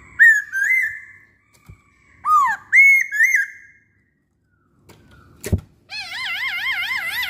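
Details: Lure song of a masked laughingthrush, meant to make other masked laughingthrushes sing. Bright whistled slurs come in short bursts, a sharp click follows, then a rapid wavering warbled trill.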